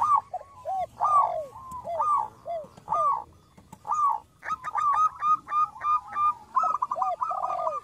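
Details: Local zebra dove in song for attracting wild doves: a string of bowed coos at irregular intervals, then rapid chattering runs of short bright notes with more coos mixed in.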